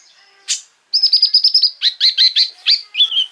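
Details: Konin, a sunbird, in full 'rol tembak' style song used to provoke rival sunbirds: one sharp note, then a fast run of high chattering notes falling in short stepped phrases.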